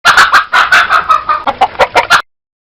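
A chicken gives a quick run of about ten clipped, mid-pitched clucks in just over two seconds, then falls silent.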